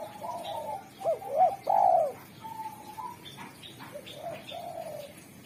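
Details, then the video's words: Spotted dove singing often, with a sharp, clear, melodious voice said to be good at calling wild doves: a run of low hooting coos, two short arched notes then a long loud burry coo, followed by softer coos; faint higher chirps behind. "Derkuku super gacor suara tajam, jernih, dan merdu pandai memanggil tekukur alam"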